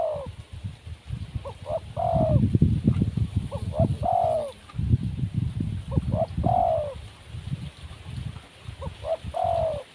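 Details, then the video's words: Wild spotted dove, called lacking in nerve, repeats its cooing phrase four times at roughly two-second intervals: short clipped lead-in notes, then a longer, slurred, descending coo. Low rumble and rustle throughout. "Burung Tekukur Liar Kurang Mental"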